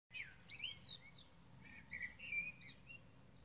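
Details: Common blackbird singing on 21 May 2020: a run of mellow, fluted warbling phrases sliding up and down, with short pauses, over a soft low rumble of background noise.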